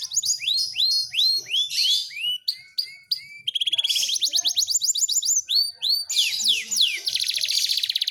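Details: Varied song of a panda canary: downslurred whistles, then a long rapid trill of fast repeated notes, then a dense, buzzy, very fast rattle, all high-pitched and loud.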